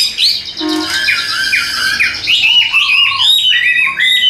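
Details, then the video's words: Chinese hwamei, a tame caged bird in Vietnam singing while carried, delivers a fast, varied medley of whistled slurs and stepped, repeated notes in a strong, even voice. "Chim Thuần 90%, Nhẹ Nhàng Sách Tay Hót, Đầu Mặt Cực Đẹp. Đấu Xòe Đuôi. Giọng Hay Ra Giọng Rất Đều"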